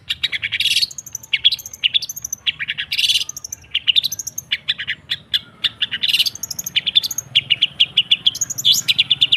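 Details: A busy chattering song from the long-tailed shrike, used to stimulate silent kept shrikes. Harsh noisy bursts mix with thin whistles and clipped notes in an unbroken, varied stream.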